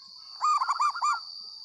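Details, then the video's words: Zebra dove of a local strain, singing loudly: a short run of four or five rolling, arched coos delivered quickly in one phrase, with a constant thin high-pitched tone behind. "perkutut lokal gacor suara lantang langsung nyamber"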